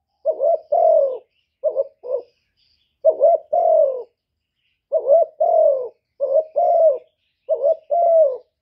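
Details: A spotted dove kept as a decoy coos in deep, soft, hollow phrases. Each phrase is a quick double note and a longer, slightly falling coo, repeated about every one and a half seconds in a quiet setting.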